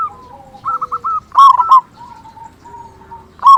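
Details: Local zebra dove singing loudly, used as a lure so other doves sing quickly: one loud, throaty cooing phrase of three bursts in the middle, soft lower trailing coos before and after, another phrase beginning at the end.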